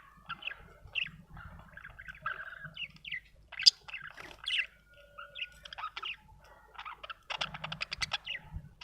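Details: Chattering budgerigar mixing soft warbles, squeaky chirps and a quick rattling series of clicks toward the end, all fairly quiet and irregular.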